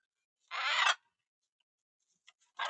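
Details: Captive macaws interacting in their aviary give one loud, rasping half-second screech, followed by faint clicks and the start of another harsh squawk.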